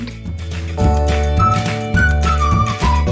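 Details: Loud instrumental music with sustained bass notes and a bright melodic line, with no animal voice heard.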